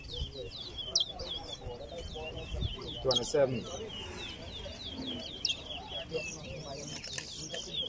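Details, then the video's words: Towa towa singing in a race at Lusignan Ground, Guyana: rapid high twittering phrases repeat throughout, with clattering noises and low background murmur. "Towa Towa Race"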